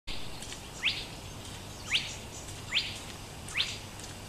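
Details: Spotted crake moving unseen through vegetation near a bird tower at Laajalahti, Espoo, Finland, on 31 May 2014, giving sharp, rising whiplash whistles, four in a row about one per second, over faint hiss and low hum.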